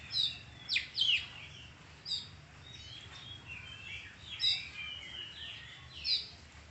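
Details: Kacer, the oriental magpie-robin, giving spaced loud whistled notes and short sharp downslurred chips between softer warbling, with steady low background hum.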